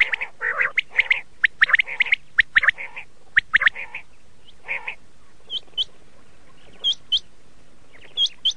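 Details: Red-shade common quail, or laal batir, with dense harsh squawking notes at first, then sparser, clear upward-hooked chirps spaced about a second apart.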